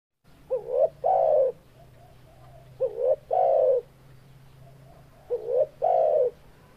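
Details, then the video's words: Spotted dove calling, used to provoke other spotted doves that hear it: three low cooing phrases, each a short rising double note followed by a longer drawn-out coo, repeated about every two and a half seconds over a faint low hum. "Suara Burung Tekukur Bikin KEPANASAN Tekukur Yang MENDENGARNYA"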